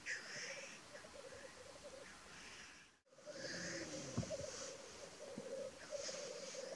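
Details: Lekking black grouse, North Wales, 12 May 2023: steady murmuring, bubbling rookoo chorus broken by several loud hissing, wheezy sneezes at irregular intervals, with a brief gap midway.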